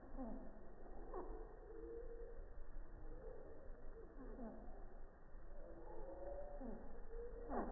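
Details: Slowed-down song of a hummingbird recorded 3 feet from a busy feeder on a quiet morning with an iPhone 6+; deep, wavering whistles and repeated falling swoops every second or two, with low background rumble.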